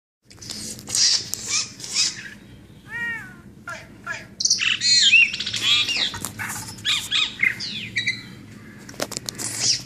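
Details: Brahminy starling calling: a busy mix of chirps, harsh notes and short whistled downslurs that come in quick irregular bursts, with a low steady hum underneath.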